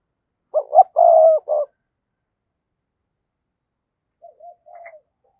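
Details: Decoy spotted dove cooing to call in wild doves. One strong phrase: two short notes, a longer, steady coo and a clipped ending note. A few soft, distant coos follow after a pause.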